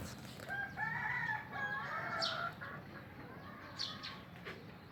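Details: Junglefowl kept at a breeding facility in Aceh: a moderately loud, harmonic crow with drawn-out banded notes lasting about two seconds, over steady background hiss and faint clicks.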